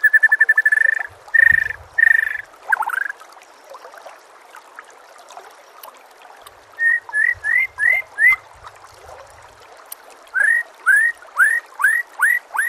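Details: A white-rumped shama sings clear whistles over nature sounds with trickling water: three steady notes, then two quick runs of five or six rising, upslurred whistles about half a second apart.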